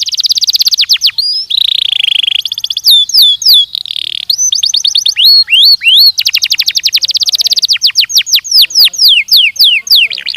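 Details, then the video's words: Belgian canary in a training recording, singing a varied song: rapid high trills, a buzzy stretch, long series of quick downward-sweeping notes and rising slurs, repeated at a brisk pace with no background noise. "ESPETACULAR canário belga,,! 30 MINUTOS DE TREINAMENTO DE BELGIUM CANARY VOCÊ VAI CANTAR MUITO"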